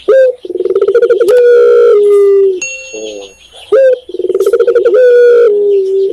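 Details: Tekukur, or spotted dove, from Indonesia giving two full coo phrases: a sharp upslurred opener, a fast burbling purr, then a drawn-out level hoot sinking at the end, with a soft pause between phrases.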